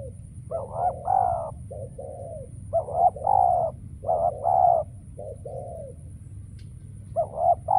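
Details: Decoy spotted dove calling while trappers wait for wild doves: repeated phrases of low, hollow coos in groups of two or three, each phrase separated by brief pauses, over a quiet background hum.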